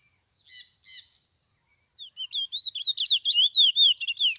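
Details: Chestnut-bellied seed finch of a white mutation: after a few faint, scattered chips, a fast loud run of sweet whistled slurs begins, rising and falling notes tumbling rapidly one after another.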